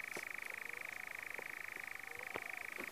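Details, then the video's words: Churring European nightjar, New Forest, UK, 6 June 2018; an unbroken, rapid rattling trill at an even pitch runs throughout, somewhat distant, with a few faint clicks and ticks in the background. "Nightjar Churring"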